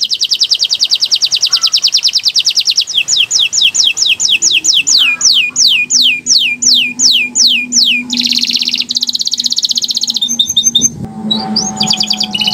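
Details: Canary song used as a lure/tutor recording to get birds singing: fast rolling trills, then sweeping high whistled notes about twice a second, followed by buzzy chattering phrases over a faint low hum.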